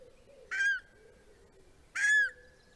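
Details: Greater spotted eagle at its nest in Estonia, on a nest camera in April 2020: two loud, harsh, yelping calls about a second and a half apart, each trailing into a thin level whistle, with quiet background.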